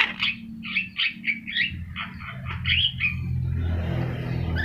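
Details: Javan myna song meant as a master recording for teaching birds: a run of separate harsh, squawky phrases roughly every half second, then fading out into a steady low engine-like drone.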